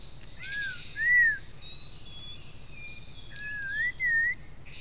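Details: Rufous-tailed shama recorded by a camera trap in the Sabangau Forest: clear, slurred whistles that arch up and down in two pairs of notes separated by a pause, with faint softer whistles and a low hum behind.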